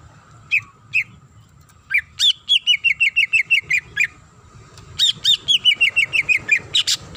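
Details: Female greater green leafbird calling the male: two lone chirps, then long quick trains of clear sliding whistles, each dropping in pitch and repeated about every quarter second.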